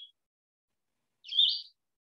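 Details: A Blue-headed Vireo, a hard-to-see flitter of live-oak and Spanish-moss maritime forest in the Low Country, listed among winter birds, gives one harsh, scratchy, high fuss note about half a second long after silence. A faint clipped note opens the recording.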